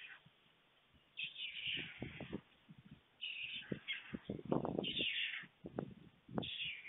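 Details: White stork storklets, two on a nest in Fohrde, Germany, on a July 2019 afternoon, anticipating a feed from an arriving adult: bursts of hoarse, high, wavering calls separated by short pauses, mixed with irregular clattering and thumping knocks.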